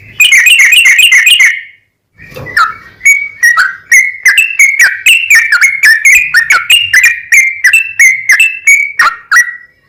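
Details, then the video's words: Long 'ropel' song of a yellow-vented bulbul used to lure other bulbuls: opens with a quick bubbling trill, a brief pause, then a run of varied liquid whistles, about three per second, fading at the close. "SUARA trucukan gacor ROPEL PANJANG pancingan trucukan agar bunyi"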